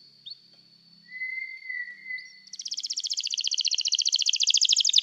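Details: Canary, starting with a thin steady whistle and a soft lower note, then breaking into a loud, fast rolling trill of rapidly repeated notes that continues to the end.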